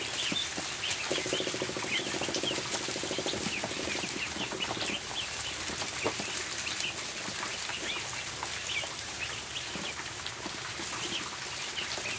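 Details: A dense chorus of ducklings indoors in a barn during feeding, with high peeping notes almost nonstop, thick tapping and shuffling noise, and a brief low buzzing hum early on.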